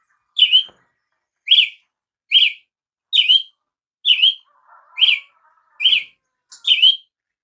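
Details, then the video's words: Eight loud, evenly spaced chevron notes from a Brazilian tanager, about one per second, each rising and dropping quickly; a soft low warble from another sound appears midway. "canto de Tiê sangue"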